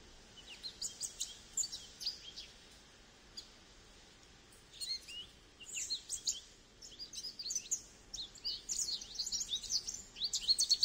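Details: A Goldfinch twitters in bursts: scattered high chirps early, a quiet gap, then increasingly dense, jangling runs of bright notes building toward the end.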